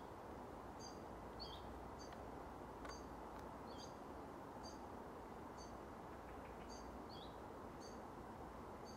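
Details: Willow warbler on 3 August 2024 giving soft, high, upslurred 'hooeet' calls about once a second, thin against a steady low rumble of distant traffic.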